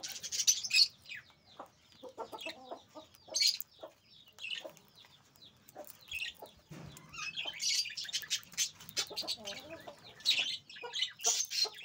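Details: Several sun conures, healthy, active birds kept for sale, give harsh, shrill screeches in irregular overlapping bursts, with softer chatter and squawks filling the gaps.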